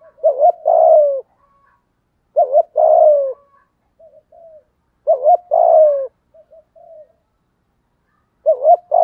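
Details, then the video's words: Spotted dove giving 'giọng thổ' style coos to goad wild doves into calling: four low phrases about every two and a half seconds, each a short wavering pair then a drawn-out falling coo, with soft quiet coos in the gaps. "cu gáy giọng thổ đầy đủ bài bản, giúp những con bổi cứng đầu ức chế và nhạy gáy"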